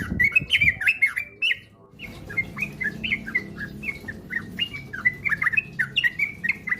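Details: Sooty-headed bulbul song used as a lure to get birds singing fast and frequently. Bright, bouncy whistled notes come in quick series, with a brief pause before the lively phrases resume.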